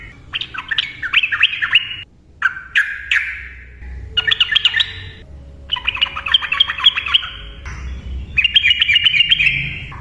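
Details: Yellow-vented bulbul in loud, lively ropel song intended to get silent trucukan singing: five bursts of rapid, bubbly chattering notes separated by brief pauses, with a faint low hum in the background.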